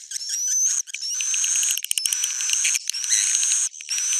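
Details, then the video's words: Old-style proven swiftlet sound: long high buzzy twitters carrying clear rising whistled notes, with quick ticking chips between them and a few short breaks. "swallow's original sound"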